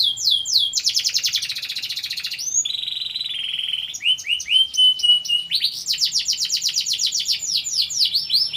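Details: Competition canary described as a national champion singer, delivering a loud, fast song of rapid trills and repeated high sweeping notes, with a sustained buzzy roll midway, then accelerating ringing trills, continuous throughout.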